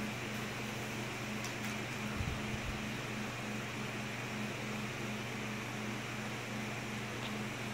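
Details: A steady mechanical hum with a pulsing low drone, like a fan or appliance running indoors, and no animal voice.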